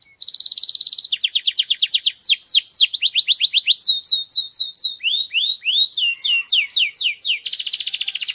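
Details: Strong male canary song used to stimulate and prepare females for mating: rapid trills alternating with runs of repeated high downslurred whistles, then rising notes, ending in a fast buzzy trill, continuous and loud.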